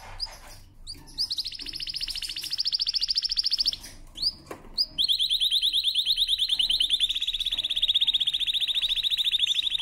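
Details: A canary sings a powerful training song made of long, loud rolling trills held for several seconds each, broken by brief sharp notes between them.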